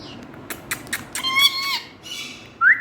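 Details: Hand-tame Indian ringneck parakeet, said to be saying "Mithu Bety"; a short, raspy, voice-like utterance with layered tones in mid-clip, preceded by sharp clicking taps and ending in an abrupt rising squawk.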